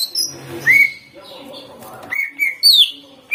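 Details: A greater green leafbird sings in a recording meant to provoke leafbirds. Scattered whistled notes, some slurred and some held level, stand out over a faint, noisy background, with a harsh downward slur near the end.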